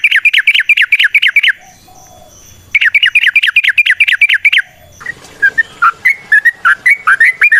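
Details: Yellow-vented bulbul (trucukan) in long, rapid lure song: two fast runs of about nine bright, hooked chirps each, with a short pause between them, then a looser string of varied whistled notes.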